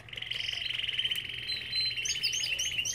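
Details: Belgian canary from an aviary: a sustained rapid rolling trill, with scattered high chirps from other birds near the end.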